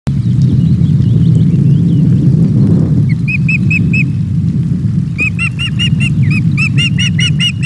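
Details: Very hungry osprey chicks at a webcam nest at Loch of the Lowes, Scotland, on 24 May during a feeding. Thin, high whistled cheeps come in short rapid runs, building from a few notes to a steady chorus over a strong low wind rumble.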